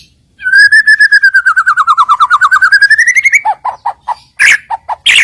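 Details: White-rumped shama song used as a lure to provoke rival birds into singing: a long, fast trill of whistled notes that dips in pitch then climbs, followed by separate short chips and sharp bursts.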